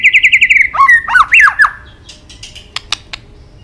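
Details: White-rumped shama giving a fighting song with tail-flapping and clicks, used to fire up other birds: a quick burst of about ten repeated chirps, then looping whistled sweeps, followed by scattered sharp clicks.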